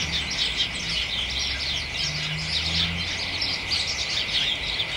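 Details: House sparrows and other birds keep up lively chattering in a hedge on a late December-start afternoon, dense overlapping chirps throughout, with a brief low droning sound in the background midway.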